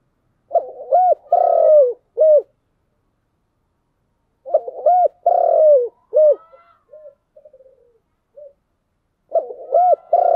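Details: Three repeated cooing phrases from a spotted dove in the 'giọng đồng' (bronze-voiced) style, each made of short hooked coos around one long drawn-out coo, with faint soft notes in the gap after the second.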